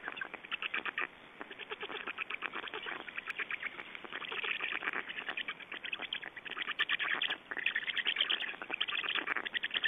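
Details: Estonian black storks during a feeding, 8 June 2012: continuous rattling, pulsed chatter with ragged rising and falling waves of loudness and a brief lull near the end.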